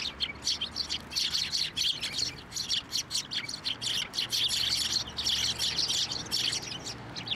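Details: Several sparrows at a Tenmangu shrine on 24 November 2023, fed on posts and from a hand, give a dense, continuous stream of high, sharp chirps that overlap throughout.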